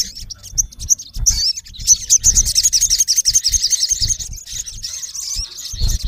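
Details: A male olive-backed sunbird (Cinnyris jugularis) calling to a rival male gives a rapid, high, thin twittering run with sharp chips nearly three per second. Low thumps and handling noise sound underneath.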